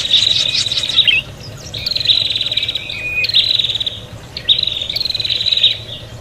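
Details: Prinia agitated fighting calls used to lure birds: three bursts of fast, buzzy, pulsed high trills, each lasting about a second, separated by brief pauses, over a steady low hum.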